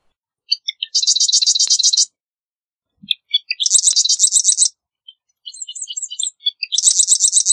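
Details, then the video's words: Repeated marsh wren songs, three in a row. Each starts with scattered tinkling clicks and then becomes a fast, high, metallic rattle about a second long. "Marsh Wren Song! Marsh Wren Call! Marsh Wren!"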